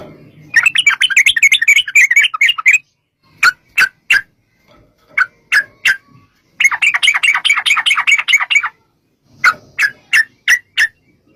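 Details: Yellow-vented bulbul in extended 'ropel' song for luring others to reply: two long bursts of rapid bubbling chatter separated by sparse sharp single notes, with a little low rumble at the start.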